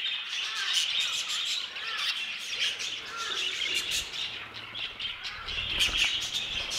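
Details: Budgerigars in an aviary, a steady busy chorus of high chattering, warbling and squeaky notes from many birds, with occasional sharper squawks.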